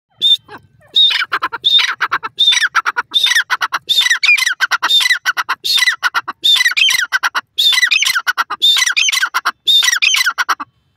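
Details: Grey francolin, known locally as dakhni teetar, giving loud powerful calls; harsh screeching phrases repeated in rapid rhythmic series, each burst a cluster of grating notes with a high whistled onset, several per second.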